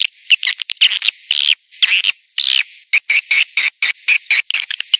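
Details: Young-calling sound of swiftlets: loud, continuous chirping bursts broken by brief gaps, under a steady thin whistle high above.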